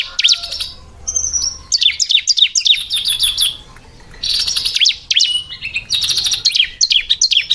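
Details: Chirping female Bar-winged Prinias (ciblek): bursts of sharp, high, rapid chirps and short trills, broken by a brief lull before another lively run resumes. No other sounds intrude.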